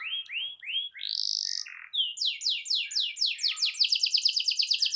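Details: Canary song meant to coax a silent canary into singing: a few separate rising whistled notes, a buzzy burst, then a series of repeated upslurred notes speeding into a quick rolling trill.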